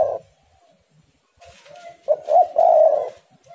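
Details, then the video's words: Spotted dove singing eagerly against a rival, a lure recording to prompt doves to sing: faint low hum, then one loud burst of rolling, mellow coos near the end. "tekukur super gacor saling memanas"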